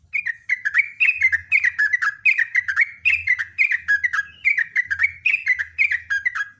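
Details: Sooty-headed bulbul delivering a loud, long, continuous rapid song: bright, bubbling whistled phrases tumbling up and down without a break, about two to three per second, over a soft low hum.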